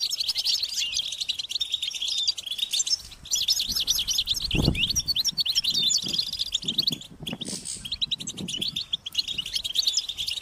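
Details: European goldfinch chicks giving high-pitched, insistent begging calls to get their parents to feed them: a dense, continuous twittering chorus of rapid chirps and trills, with a brief pause near seven seconds.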